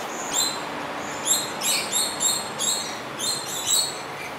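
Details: A coconut lorikeet, an introduced species now breeding locally in Singapore, gives a run of shrill, screechy, slightly harsh calls in uneven bursts about once a second.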